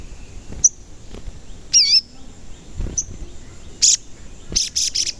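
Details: Sogon sounds used to bait birds into singing: scattered high chips, one dipping-then-rising whistled note, and short bursts of rapid high buzzy notes near the end, over soft background noise.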